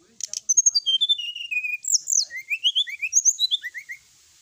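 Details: Energetic sooty-headed bulbul song with full, varied content: a fast run of sharp, high chirps and descending slurred whistles delivered in quick succession.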